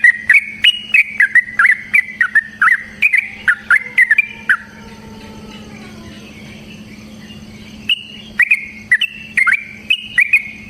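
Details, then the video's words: Sooty-headed bulbul, caged, singing a varied lure song for other bulbuls: brisk bubbly phrases of rising and falling notes, a three-second quiet gap with faint hum, then the lively chatter returns. "Suara Burung TRUCUKAN gacor ROPEL VARIASI NROTOK NGECUPLIK pancingan trucukan agar JADI trucuk GACOR"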